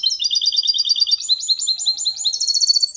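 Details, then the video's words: A goldfinch × canary hybrid sings cleanly without errors, a fast, continuous run of high, bright twittering notes and rolling trills, steady throughout; the song is used to stimulate females and teach young birds. "Mixto de Jilguero Cantando Limpio sin errores"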